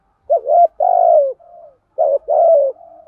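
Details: Spotted dove as a decoy urging wild doves to coo: two low two-part coos, a quick short note and a drawn-out falling coo, each followed by a faint softer tail.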